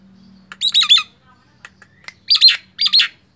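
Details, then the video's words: A Nias hill myna in full song, offered as a training recording for other mynas, gives three loud bursts of harsh, squawky notes, each about half a second long, with a faint low hum at the start. "SUARA JALAK NIAS"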